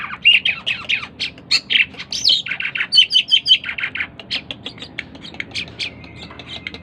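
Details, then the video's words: Loud harsh squawks from a tame Asian pied starling in full voice, mixed with a sharp whistled trill midway, then quicker, softer chattering notes. "burung jalak keling gacor dor // burung cucak keling jinak gacor"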